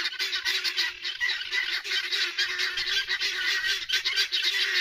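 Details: Helmeted guineafowl (Numida meleagris) at a cat sanctuary, heard in the background raising an alarm, a harsh, grating racket of rapid, repeated chattering calls, louder than a burglar alarm.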